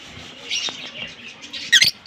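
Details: Green Fischer's lovebird pair chirping: soft raspy high twitters, then a loud sharp squeaky burst near the end.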